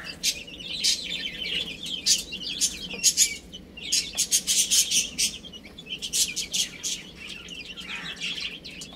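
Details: A crowd of little chicks peeping while playing and feeding, bright high chirps overlapping, mixed with clusters of sharp clicking pecks.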